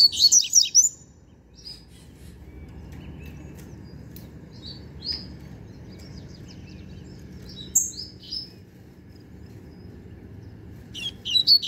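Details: A novice young double-collared seedeater sings an energetic opening flurry of high notes, then sparse single chirps, ending with another quick burst.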